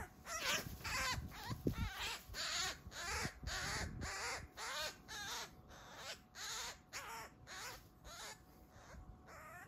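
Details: Eurasian magpie being attacked by a Eurasian Sparrowhawk close to a sun lounger in a backyard: a long run of short, arched squealing cries, roughly two per second, over faint scuffling.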